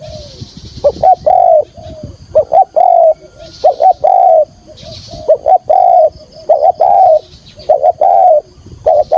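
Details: Captive decoy spotted dove in full 'thúc gù' calling, field voice, used for trapping wild doves: rapid run of mellow low coos in clipped pairs and longer notes, with a faint high rustling hiss in the background.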